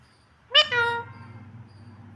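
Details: Green talking parrot speaking indoors: a single loud, sharp, voice-like syllable that starts high and then holds a steady, slightly nasal tone for about half a second, over a low household hum.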